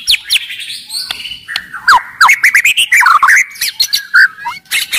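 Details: Loud, lively caged white-rumped shama, used to provoke other shamas into song and fighting; rich warbling of quick slurred whistles and chattering notes, varied and continuous.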